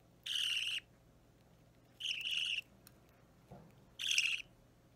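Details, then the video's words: Young pet budgerigar chick about three weeks after hatching, opaline or normal green, being hand-fed and unsettled, 30 March 2017; three grating, nasal squawks spaced about every one and a half to two seconds, with faint clicks and a low background hum. "Feeding Baby Budgie/Budgerigar"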